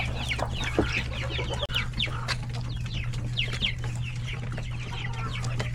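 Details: Chicks, hens and roosters in a coop during hectic lunchtime feeding: bright, quickly repeated descending chick peeps crowd together, with a few low clucks and clicks, a brief dropout near the two-second mark, and a background low hum.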